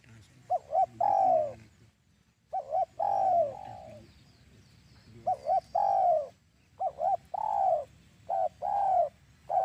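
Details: Spotted dove calling, a recording used as a lure for trapping doves: four phrases, each two or three short clipped coos followed by a long, loud, falling coo, with short pauses between phrases.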